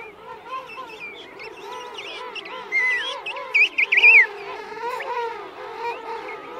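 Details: Adult king penguins calling at close range in a colony of adults and chicks at Right Whale Bay; wavering, harmonic trumpeting calls overlap, with brighter warbled phrases rising and falling in the middle of the recording.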